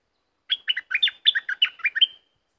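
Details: Caged red-whiskered bulbul delivers a 'dok taeng' style song: a lively run of about ten quick, cheerful, bubbling notes over under two seconds, ending on a slightly drawn-out whistle. No other sounds.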